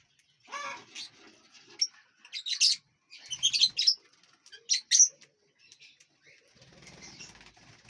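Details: Lovebirds feeding and flying inside a large aviary give quick, high, scratchy chirps in clustered bursts, then fall to soft chatter near the end.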